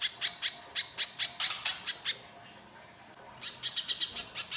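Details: Little spiderhunter song in the coarse gacor mbeset kasar style, used as a lure to set birds singing. Evenly spaced sharp, high notes run for two seconds, then a brief pause, then a quicker, softer run of notes.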